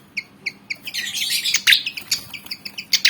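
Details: Javan fantail, black and white, about 19 cm, eager to fight: short, clear, doubled chirps repeated about every quarter second, then a louder burst of harsh, rapid chattering, followed by more spaced chirps.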